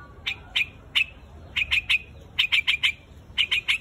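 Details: Flock-gathering calls of a white-headed bird called quạch mốc: bright, abrupt chip notes given singly and in tight groups of two to four, separated by brief pauses, against a quiet low rumble.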